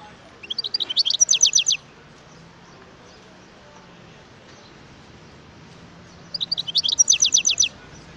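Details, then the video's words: Wild European goldfinch: a fast, bright, chattering phrase of closely spaced high notes, a pause of several seconds, then a second matching phrase. "اسمع صوت الحسون البري"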